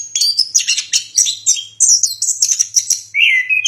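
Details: Orange-headed thrush song: a rapid run of high whistled and chattering phrases, sliding notes at varied pitch, ending in a lower drawn-out warble.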